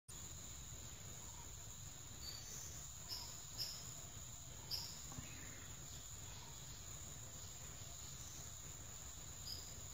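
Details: Female heart-spotted woodpecker in a home backyard gives a few short, sharp, high notes at irregular intervals, over a steady high insect drone and low background hum.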